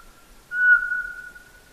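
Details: A single clear, level whistle from a Eurasian pygmy owl's soft, repetitive song, swelling quickly and then fading slowly over about a second in quiet surroundings.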